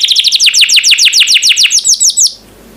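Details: Canary singing, a master recording used to train other birds: a fast run of falling whistled notes, about eight per second, that stops abruptly and leaves near silence.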